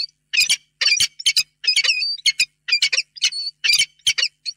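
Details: Peregrine falcons meeting in a nest box at Reda, 28 February 2022, before evening; loud grating squawks in quick succession, some ending in thin whistled tails, repeated roughly once a second.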